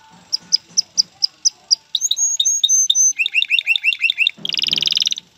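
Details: Male canary song meant to stimulate a female to mate and build her nest: a row of spaced sharp chips, short whistled notes, a quick series of bouncy falling notes, then a dense buzzy roll.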